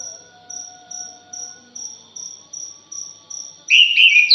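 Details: Punglor jali (orange-headed thrush) in a busy chattering lure recording: steady high insect-like pulses run for most of the stretch, then a loud burst of dense, scratchy warbling bursts in near the end.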